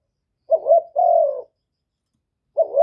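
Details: Spotted dove call meant to provoke rivals: one clear two-part phrase, a brief wavering upslurred note running into a longer level-then-falling coo, with the next phrase just starting, silent background.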